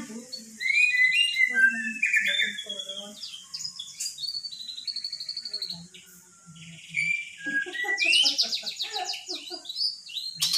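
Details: Speech-mimicking magpie-robin calling "Pak Jokowi", unedited: whistled slurs and trills mixed with lower, voice-like harmonic syllables, a brief lull, then a burst of rapid buzzy notes.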